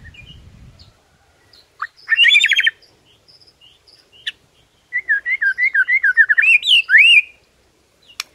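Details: White-rumped shama singing in the morning, a song said to enrage rival shamas: a brief rising whistle, then a rapid burst of notes, and a fast run of slurred, looping whistled notes rising toward the end over near silence.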